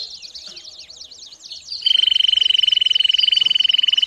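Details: Domestic canary singing and calling as training for young birds: quick warbled, slurred high notes, then a loud, fast rolling trill held steady and repeated about twice a second.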